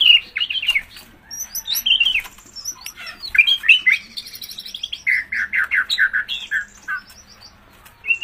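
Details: White-rumped shama singing a fast medley of short chirps, trills and clipped whistles, ending in a rapid series of rhythmic stuttering notes repeated several times a second.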